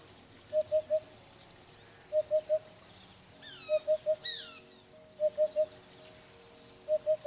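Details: Eurasian hoopoe in Ukraine giving soft, low, hollow triple hoots, oop-oop-oop, a dull repeating signal about every one and a half seconds that carries far in open spaces; another bird adds brief high, falling chirps midway.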